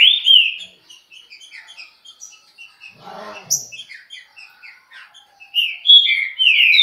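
A Green-winged Saltator sings loud, rich whistled phrases at the start and end. Softer quick chips fill the middle, and a brief rustling noise is heard.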